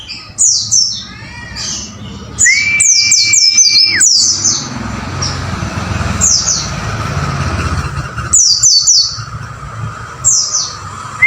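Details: White-eye song for training caged birds, with scattered bursts of high falling chirps and one long flat whistle, over a steady rumble of passing traffic.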